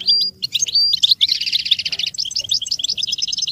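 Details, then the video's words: An American goldfinch sings, recorded for teaching chicks: a few thin whistles lead into a loud, rolling burst of rapid chattering notes that continues as a lively, jumbled twitter. "Hymns that will make your goldfinch sing from the first minute"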